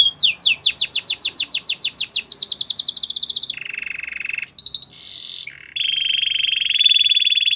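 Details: Training song for a Belgian canary: an accelerating series of steep whistled downsweeps merging into a fast trill, then level buzzy rolls and a sustained bright tremolo.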